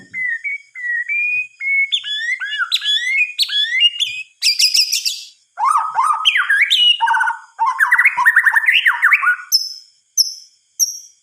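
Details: Night-time white-rumped shama song, moving from plain whistles to quick rising slurs, a high scratchy burst, then deeper swooping phrases. It ends with short, very high piping notes.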